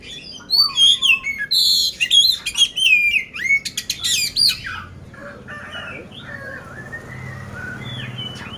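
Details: Competition-ready oriental magpie-robin in Magelang, Central Java, Indonesia, delivering loud, rough-textured song: clear whistled slurs alternate with harsh buzzy and rasping notes for about four and a half seconds, followed by softer scattered phrases over low background hum.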